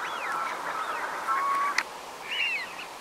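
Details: Eurasian wigeon in the Belgian Uitkerkse Polder, January 2017. An arched whistle opens the clip, a sharp click follows near the middle, and a second rising-falling whistle comes near the end over flock murmur.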